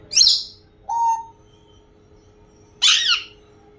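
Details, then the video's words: Pet African grey parrot imitating a crow: two harsh, hoarse, high squawking bursts separated by a short, lower tonal note, with a quiet steady indoor hum underneath. "Ye parrot nahi, full entertainer hai 😂🔥” crow sound"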